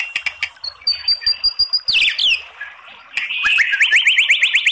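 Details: White-rumped shama long song meant to provoke singing: sharp clicking notes and a high held whistle, a sweeping downward slur, a short pause, then a fast run of rising whistled notes repeated in quick succession.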